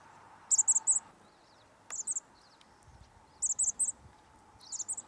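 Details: Chestnut-backed chickadees chirping on Douglas Island near Juneau, Alaska, 19 March 2020: repeated clusters of two to four very high, thin chip notes roughly every one to one and a half seconds, with a single sharp click between.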